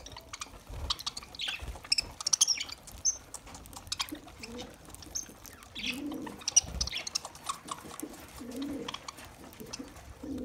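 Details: Lovebirds feeding on green summer food make scattered high, thin chirps and short squeaky notes, with occasional lower murmuring sounds and light rustling throughout.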